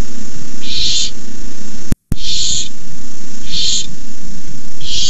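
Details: Barn owl owlets at the nest hiss during a nighttime rabbit delivery by an adult on 18 May 2015; four breathy, rushing hisses spaced roughly a second apart, broken by a brief silent dropout, over a low hum.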